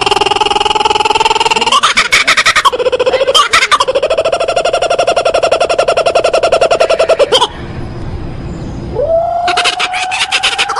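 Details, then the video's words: Kookaburra laughter: loud, raucous runs of rapid, harsh chuckling notes that break off briefly, then start again with a rising cackle. "Canto assustador do pássaro Koocaburra"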